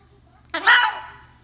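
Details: Talking cockatoo gives one harsh, raspy, word-like utterance about half a second long, loud and bright, against a quiet background, amid a person saying hello.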